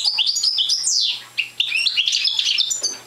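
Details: Parva goldfinch, a youngster without full song yet, gives chattering high notes and a sharp descending slur, a short gap, then more warbled buzzy twitters.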